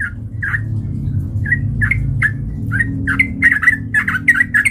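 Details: Sooty-headed bulbul used to provoke fighting, giving spaced chirps that speed up into a tight, rapid chatter, with a low background rumble throughout.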